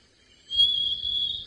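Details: A Grey Tit-flycatcher calls from a thicket behind a safari vehicle at sunrise, around 6 AM on 28 February 2018, in Djuma, Sabi Sand, South Africa. It gives one thin, high whistle held steady for about a second over a low vehicle rumble.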